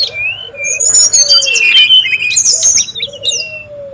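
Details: Brown-chested jungle flycatcher calling noisily in the wild, used as lure and master sound: bright whistled notes and twittering chatter high up, with a low drawn-out whistle underneath and overlapping birds.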